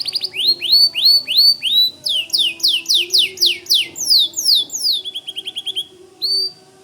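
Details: White canary pouring out song: rhythmic upslurred chirps about three per second, shifting to denser double notes, then a quick chattering trill and a final lone chirp.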